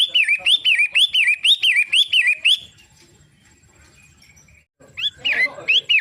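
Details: Long-tailed shrike, the pentet matahari, rattles off rapid rising-and-falling whistles for a couple of seconds. After a quiet gap, a short burst of harsher, busier notes follows.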